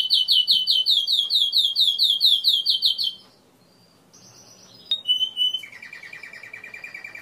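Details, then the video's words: Timbrado canary delivering a loud rolling trill of rapidly repeated notes for three seconds, a brief pause, a few scattered whistled notes, then a softer, lower, even trill. "تسجيل طائر كناري تمبرادو"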